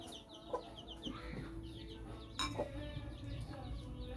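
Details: Silver Laced Wyandotte chicks, 13 days old, follow the mother hen's lead while feeding on cooked fish with a hen. A run of quick high peeps opens the recording, then sharp clicking pecks and a low background hum.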